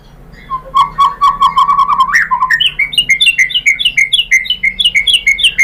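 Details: White-rumped shama (murai batu) song used to provoke other shamas: repeated low whistled notes speeding up, then a brisk run of higher bright notes, roughly four per second.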